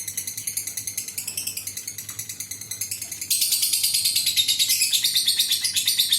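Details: Adult fighter lovebird in a long ngekek, used to coax other lovebirds to sing. A rattling, evenly pulsed chatter about three beats per second turns suddenly louder and denser halfway through.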